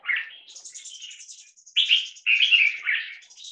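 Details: Competition-bred bulbul crossbreed, 75% red-whiskered and stripe-throated, 1.5 years old and caged, in a loudness test: rich, loud, run-on warbled phrases, with high thin twittering in the background throughout.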